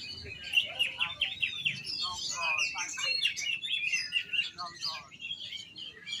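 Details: Oriental magpie-robin song: a rapid, continuous stream of varied high whistles, chirps and trills, shifting notes several times a second, with faint low murmuring behind.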